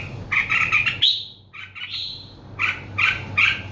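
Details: A bird chatters in quick repeated chirps, then gives two long whistled notes that slide downward, before returning to clustered bright chirping; low background hum throughout.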